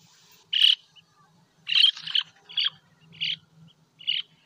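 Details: Sandpiper calling: five short, sharp, high-pitched notes, roughly one every three-quarters of a second, some doubled or slightly buzzy, over a faint low hum.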